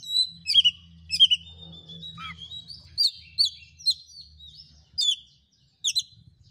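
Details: Oriental magpie-robin song used to lure a quiet, lazy bird into answering a challenger: clear whistled notes and fast high twittering, a downslurred whistle near two seconds, then spaced sharp chips and upswept whistles; low background hum.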